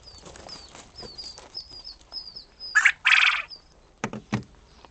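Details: Quail in a new pheasant, quail and chukar pen on June 18, 2013 give a quick run of thin, high, down-slurred peeps, several each second, broken by loud clattering handling noise as blinders are fitted to pheasants.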